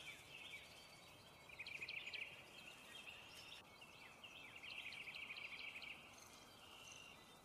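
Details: American kestrel while eating prey: two short bursts of rapid, shrill, repeated notes, each lasting under a second, separated by a pause, over steady outdoor background hiss.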